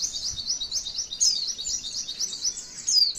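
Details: Brief, dense, very high warbling from a female white-eye, sung to coax other white-eyes into song: quick slurred notes run together, with a few sharper descending whistles near one and three seconds.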